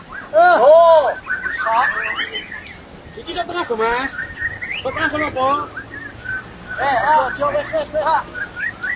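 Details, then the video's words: White-rumped shama at a group singing-practice contest (latber), used to test a bird's nerve: loud, arching whistled notes with rich overtones, delivered in varied bursts with brief pauses, over a low background murmur. "Latber Murai Batu Buat Test Mental Burung Kesayangan"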